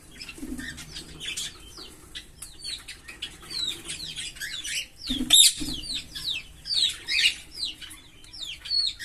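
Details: Green Fischer's lovebird pair singing: a dense, continuous stream of short high chirps and sweeping twitters, rising and falling quickly, with a couple of lower soft notes.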